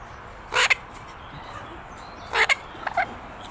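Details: Young pet Illiger's macaw, six months old, playing outdoors in a garden, gives two loud, grating screeches about two seconds apart, each a brief burst with a clipped second note, followed by a couple of softer squawks.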